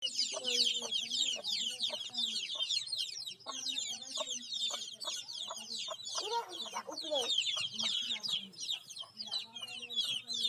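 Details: Many baby chicks chirping together in a dense, continuous chorus of high, rapid, downslurred peeps overlapping throughout, with some lower clucking notes and faint voices underneath.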